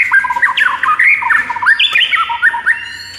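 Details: Morning masteran song of a lively gacor white-rumped shama (murai batu), meant for luring and training birds: a fast run of clear, looping, whistled notes rising and falling, chattering steadily without pause.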